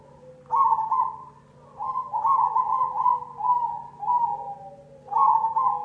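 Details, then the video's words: Zebra dove (perkutut cemani) lure song: repeated loud, trilled coo phrases at a steady mid pitch, three bursts in six seconds with softer lower notes between, over a constant faint hum. "Pancingan perkutut cemani"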